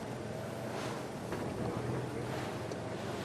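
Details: Strong wind buffets the microphone in a steady roar, with no animal voice heard.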